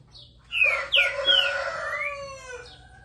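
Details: Singing green-winged saltator, or trinca-ferro: a loud full-toned whistled phrase of several slurred notes, rising and falling, ringing with rich overtones before fading out.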